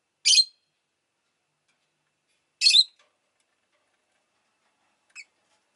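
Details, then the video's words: Rosy-faced lovebird, a pet bird, giving two loud harsh shrill chirps about two seconds apart, then a faint brief squeak, with silence between. "Lovebird Chirping Sounds"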